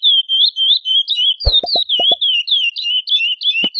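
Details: Chestnut-bellied seed finch female calling to solicit mating, a fast stream of high, slurred chirps about three or four a second, with several sharp low knocks or taps in the middle and at the end.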